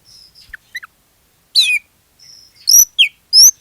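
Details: Oriental magpie-robin (kacer) lure song to make other magpie-robins join in; a few thin steady whistles, soft chips, then loud slurred upward sweeps.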